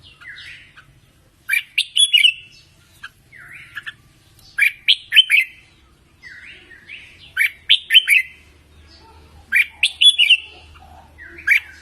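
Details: Red-whiskered bulbul singing for voice training in a contest-song style. Short bright whistled phrases of three to five quick rising and falling notes come in bursts about every two and a half seconds, with a faint low hum underneath.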